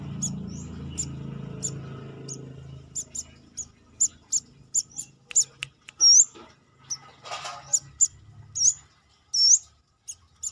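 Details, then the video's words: Brown-throated sunbird singing outside the cage: a quick series of thin, high ticks building into louder, hooked whistled chirps, over faint low background noise at the start. "KORLAP (Kolibri kelapa)Manggar gacor luar sangkar"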